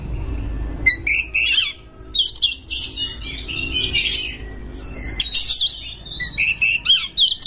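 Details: Oriental magpie-robin in breeding condition, singing as a lure for other birds: bursts of clear, varied whistles and quick slurred notes, broken by short pauses, with faint low hum beneath.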